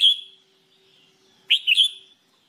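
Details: Red-whiskered bulbul singing for training purposes: a fading whistled note, then after a pause a quick three-part lilting phrase, clear and high, in a quiet setting.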